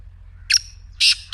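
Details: Black francolin calling, played to get a silent partridge to start calling: one harsh, buzzy note, then two loud, broad, grating bursts about a third of a second apart against a quiet low hum.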